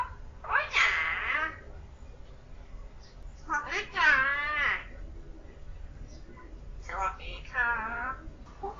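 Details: Young pet common hill myna, not yet a year old, imitating human speech: three separate bursts of wavering, voice-like phrases a few seconds apart, with quiet indoor background between them.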